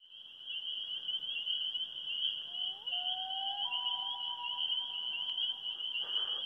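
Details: In northern Minnesota, a loon's sliding, mournful notes rise and hold over a dense, shrill chorus of spring peepers.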